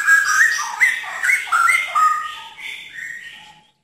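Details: Murai batu, the white-rumped shama, sings a flowing sequence of mid-pitched whistles with quick slurred inflections, loud at first and fading away over about three and a half seconds.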